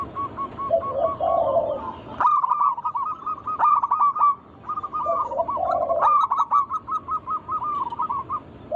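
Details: Zebra dove song from local birds, meant to lure other doves to sing: lower warbled rolls open, then dense bouts of quick hooked coos with abrupt louder onsets from overlapping singers.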